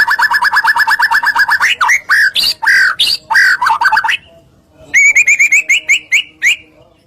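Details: White-rumped shama (murai batu) in full 'gacor' song as a lure: a rapid stuttering run of notes, then harsh squawking phrases, a short pause, and a fast series of high repeated chips.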